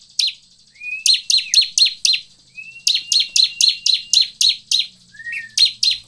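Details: Bar-winged prinia song played as a lure to get other birds singing: rapid series of sharp, high chipping notes about four per second, in two long bursts, with occasional thin rising whistles in between.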